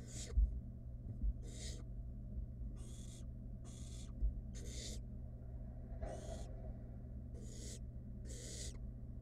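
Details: Barn owl nestling, wild, inside a nest box with food delivered by its mother: eight broad, wheezy hissing calls at uneven intervals, a few faint knocks, constant low background hum.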